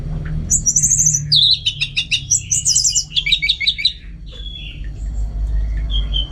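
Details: Orange-headed thrush in strong song: rapid rich run of high trills and repeated clipped notes delivered in quick rhythmic series, ending in a few thin drawn-out whistles as low hum rises.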